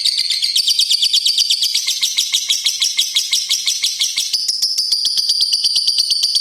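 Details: Pastel green lovebird delivering a long continuous ngekek song, a rapid, high, rattling trill of evenly pulsed notes kept up without a break and rising slightly in pitch toward the end; no other sounds.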